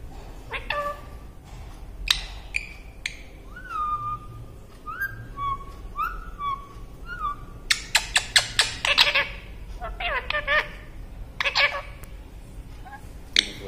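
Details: A pet Indian ringneck parakeet gives clear whistled phrases and harsh, speech-like chatter, mimicking Hindi words such as "mummy roti de" (mummy, give bread) and "mitthu", with a woman's voice talking in between.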